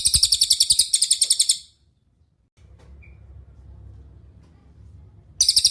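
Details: Cililin song recorded as a master for training songbirds like magpie-robins and green leafbirds: two quick bursts of sharp, high, rattling notes repeated rapidly, then near silence with faint low hum, and the trill starting again at the close.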